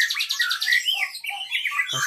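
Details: Caged Asian pied starling (jalak suren) singing on its own without provocation, with imitations of cililin, katem and canary: a loud, rapid run of bright chirps and warbled notes, rising and falling, ending with a soft low thump.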